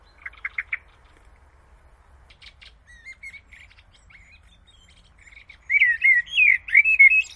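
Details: Played-back Common Blackbird song: a few thin high twitters and soft squeaky notes, then a loud run of rich, fluting warbled whistles rising and falling.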